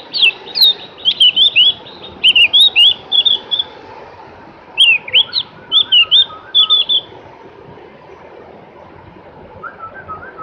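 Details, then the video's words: Javan grey-throated white-eye singing a lively run of high, rapidly twisting chirps in several clustered phrases, pausing briefly between them; a fainter, lower bird answers near the end. "kicoan merdu burung Opior jawa atau cak gentong"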